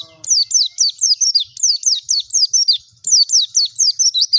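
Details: Oriental white-eye song used as a lure to make birds open their beaks and sing: three rapid bursts of high, sharply downslurred whistled notes, about eight per burst, clean with no other sounds.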